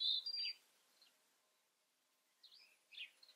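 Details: European robin giving two short bursts of high, thin, warbled notes, a brief phrase at the start and another after a pause of nearly two seconds, with quiet background between.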